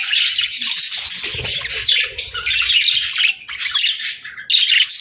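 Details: Pet budgie chirping and singing contentedly: steady, bright warbling chatter of fast squeaky notes in several long phrases with short gaps, little other noise.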